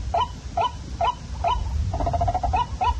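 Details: Waterhen lure call at night: clipped rising notes spaced about half a second apart, broken midway by a fast stuttering rattle, with a low hum underneath.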